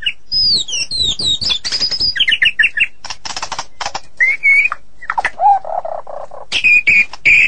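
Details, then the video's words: White-rumped shama singing a rich, varied song of clear whistled phrases, rapid chattering trills and harsh buzzy notes, switching quickly between high and middle pitches. "Suara Kicau Burung Murai Batu"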